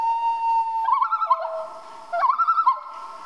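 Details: Common loon at night: a steady held tone breaks into two bursts of quick, wavering tremolo laughter, each starting with a sharp upward swoop.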